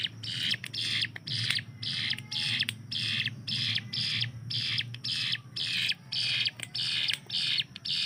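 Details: Captive hill prinia delivering its machine-gun-like 'tembakan' song, kept to tutor other cage birds. Harsh buzzing bursts follow one another at close to two per second, with a faint low hum behind.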